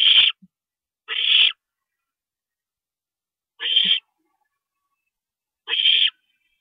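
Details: At 2:40 AM on April 22, 2012, an owl parent pays a night visit to the nest, giving four short, rough, screechy bursts spaced one to two seconds apart against an otherwise silent background.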